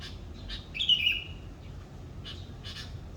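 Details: Morning birdsong in Indonesia: one bright wavering whistle near the start, followed by several short, soft, scratchy chirps spaced apart over a steady low background hiss.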